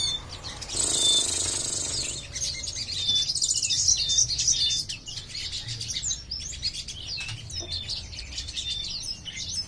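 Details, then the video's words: Crimson sunbird, a kept bird tested alone to see whether it dares to sing, giving rough twittering: high thin chirps and trills in quick succession, with a brief rushing noise near the start. "Tes mental sogon berani gacor apa griwik saja"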